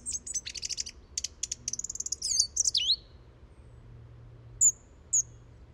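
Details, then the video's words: Song thrush singing: a quick burst of short repeated clicking notes, then loud whistled and trilled phrases sliding downward, closing with two brief high thin whistles after a pause; faint low hum behind. "Song Thrush Song"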